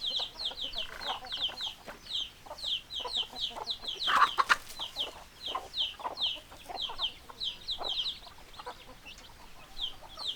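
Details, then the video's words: Many hens clucking, rapid high peeping chirps layered over scattered deeper clucks, a brief louder burst around the middle, steady flock chatter throughout. "Chicken Sounds Noises Hens Clucking Roosters Crowing"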